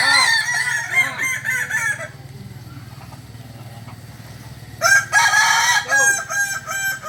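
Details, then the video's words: Kukuak Balenggek rooster, an original Solok bird, crowing loudly in two bouts: long harmonic crows broken into rapid stepped syllables, a quieter low-level gap between them, then a second stuttering, multi-part crow. "Ayam kukuak balenggek asli solok"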